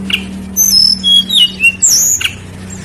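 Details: Lesser shortwing singing to draw other birds: a few high, thin whistles that slide and waver, separated by short pauses, over a faint low background hum.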